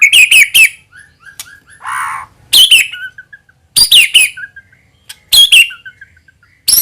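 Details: White-rumped shama lure song, meant to make any shama answer with full song. Clusters of three sharp, falling high notes recur about every 1.4 seconds, broken by faint dotted trills and one brief harsh rasp.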